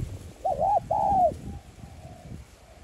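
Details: Coo of a spotted dove in the 'giọng son' voice style, used to stimulate decoy birds. A single phrase: a quick looping note followed by a drawn-out, gently falling hoot, with faint low hum behind.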